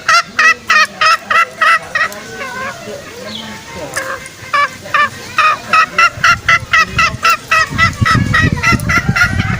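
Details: Lure call of green junglefowl used with snares to coax out males: quick repeated short harmonic clucks, a brief irregular patch midway, then a steady rapid series with some low rumbling noise.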